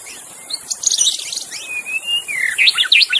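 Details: Wild magpie-robin singing in forest, recorded as a master track for training kept songbirds: varied clear whistles, long slurred notes falling and rising, ending in a quick burst of sharp, jumpy phrases, over a steady high insect drone.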